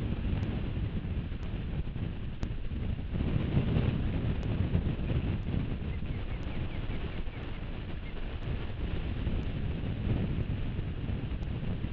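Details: Steady wind rumble with faint regular ticking, and no animal voice heard.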